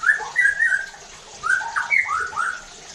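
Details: Shama lure song to make rival white-rumped shamas sing harshly and show their repertoire: two quick groups of rich whistles, sweeping up and down, with a short pause between them.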